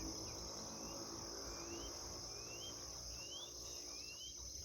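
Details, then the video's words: White-bellied Seedeater (chorão) singing in the 'chama cachorro' song style in the bush: a series of thin upslurred whistles, each rising sharply at the end, repeated roughly every second over a steady, loud high insect drone. "chorão chama cachorro cantando no mato"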